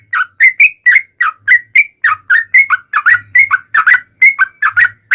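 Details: Yellow-vented bulbul singing a long rapid 'ropel panjang' style song, used as a lure to make other bulbuls answer; loud bubbly whistled notes tumbling up and down, about fifteen in five seconds, with a faint low hum in places.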